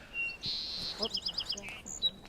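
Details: A male Song Sparrow singing close by in forest at Birch Bay State Park, north Puget Sound, gives a quick phrase: short opening notes, a bright buzzy run, rapid repeated chips, then a lower buzz and a high thin whistle.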